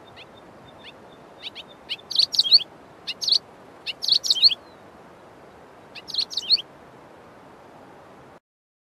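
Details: White-throated Swallow giving two different vocalisations: quick, high twittering bursts of squeaky chirps in short runs about a second apart, over a steady low hiss.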